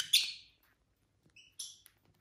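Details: Pet lovebirds, several colour varieties kept together, chirping: one loud harsh rasping chirp fading out, then after a pause a thin whistled note and another brief rough chirp.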